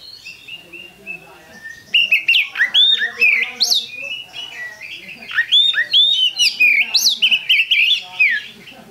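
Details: Lure song of a kacer, the Oriental magpie-robin; quiet warbling gives way to loud chattering sequences of whistled, sharply inflected notes, repeated in quick bursts over several seconds.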